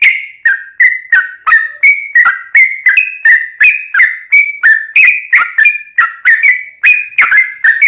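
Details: Yellow-vented bulbul in aggressive fighting song, sung to make other bulbuls call back: an unbroken run of bright, gurgling whistled notes delivered about three per second in a steady, energetic pattern.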